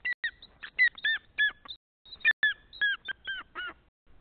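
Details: Greater spotted eagle in Nizhnyaya Kama National Park, 14 April 2020, morning: a long, excited chain of sharp yelping notes, with a brief break before a second burst, in quiet surroundings.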